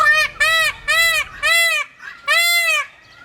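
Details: Peacock giving a rapid run of five loud, nasal, rising-and-falling cries about half a second apart, strongly harmonic and ringing, with a brief pause before the last.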